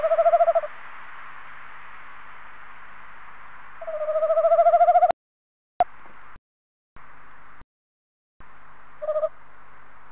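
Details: A male Tawny Owl calling close to a nest box on 21 February 2015 gives low, hollow hoots, one drawn out into a long, wavering, rising note, between short single hoots. Two sharp clicks and brief dropouts break the recording.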